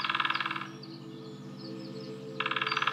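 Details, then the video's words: Female lesser spotted woodpecker drumming in Nottinghamshire woodland, UK, where a pair was calling and drumming. A rapid rattling roll ends near the start, then a second fast roll begins near the end, with faint bird twitters between. "Lesser Spotted Woodpecker drumming in the UK (female)"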